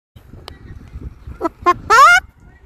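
A Moluccan cockatoo gives two short, clucking notes and then a longer rising squawk, a mimicked hen-like 'bok bok bok', over low room rumble.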